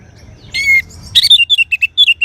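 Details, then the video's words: Orange-headed thrush song: a brief shrill whistled note, then a fast string of about ten clear, high, slightly downslurred chirps delivered in quick succession over a faint low background rumble. "Suara Burung Anis Merah"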